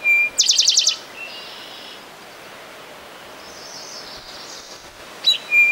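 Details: Eastern towhee at Rondeau Park, June 2013, gives a clear whistled opening note followed by a quick ringing trill; after a quiet stretch with faint background chatter, another sharp note and whistle begin the phrase again.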